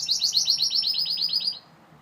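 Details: Gloster canary gives a loud, fast, high trill of evenly repeated notes, about eight per second, for roughly a second and a half, then falls silent.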